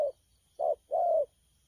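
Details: Brief burst of spotted dove cooing from a wild-caught bird of the thổ pha style, 12 October 2019: two short low notes followed by one longer, level coo.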